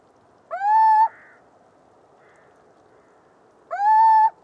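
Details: Two rising-then-level hoots from a little owl (Athene noctua), about three seconds apart, with fainter, softer mewing notes heard between them against light background noise.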